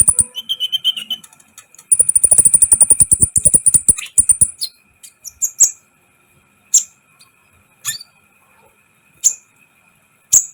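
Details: Sunbird (kolibri ninja) in lively song used to rouse other birds; a short whistled phrase, then a long, fast, very high pulsing trill, followed by isolated sharp chirps a second or more apart.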